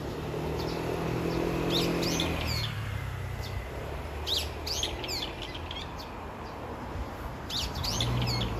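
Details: Brown-eared bulbul calling its mate. Groups of shrill, downward-sweeping notes come in three bursts, early, middle and at the end, over a steady low hum.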